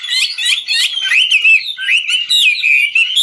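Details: Chinese hwamei rated a superb 'ngũ trường' singer, performing while dancing; loud buzzy chatter gives way to smooth, wavering whistled notes sliding up and down.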